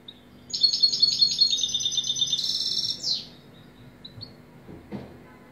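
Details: European goldfinch giving one song phrase of quick, repeated high twittering notes, then a buzzy trill and a downward slur, followed by scattered faint chirps and a soft knock.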